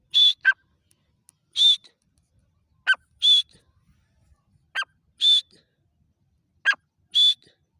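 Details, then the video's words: Grey francolin calling in measured pairs, a high clear whistled note and a rougher descending note, repeated about every one and a half seconds over a quiet background. "Gora teeter ki awaaz|Dakni teeter ki voice|تیتر کی ساونڈ"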